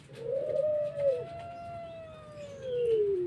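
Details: Pelung-type collared dove with a whimpering pelog voice: a short wavering opening, then one long, smooth, low coo that arches gently and slowly falls at the end, against a hissy background.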